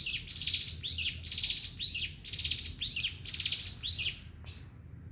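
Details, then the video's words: Javan sunbird, known locally as ciblek gunung, singing in the rapid 'ngebren' style: high, bright chirping phrases with falling sweeps, repeated about once a second with brief gaps, over a low background rumble. "Ciblek Gunung"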